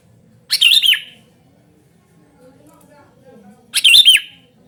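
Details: Sooty-headed bulbul calling energetically. A pair of loud, rich, warbling phrases, each under half a second and bouncing up and down, about three seconds apart, with faint low background noise.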